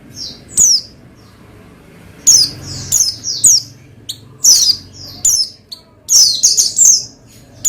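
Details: Oriental white-eye song for stimulating a fellow white-eye: a long series of high, sharp descending chirps, sparse at first, then quickening into a busy twittering cluster toward the end.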